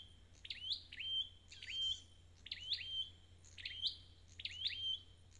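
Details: Red-headed bird, a local songbird in recovery, singing in repeated phrases: a sharp rising sweep flowing into a clear high whistled note, about every second, over a steady low hum.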